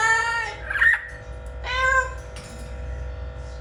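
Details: Funny talking blue-fronted amazon parrot: harmonic, voice-like syllables with a squeaky wobble, a second drawn-out sound, then a fainter one, over a constant tonal hum and low background noise.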